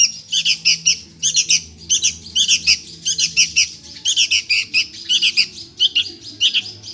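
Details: Sooty-headed bulbul chick begging for food: harsh, raspy squawks in rapid clusters of two to four, repeated almost without pause across the whole stretch, over a faint low steady hum.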